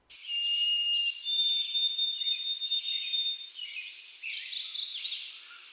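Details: White-throated Sparrow singing its "oh sweet Canada" song, a winter backyard bird of eastern North America: clear, pure whistles, a lower held note, then a higher one breaking into quick wavering repeats, over steady background hiss.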